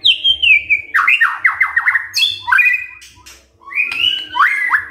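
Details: White-rumped shama song used as a morning lure to make other shamas sing: whistled notes sliding downward, then a fast run of repeated rising-falling phrases, a harsh burst, and more bright whistles, with faint low hum beneath.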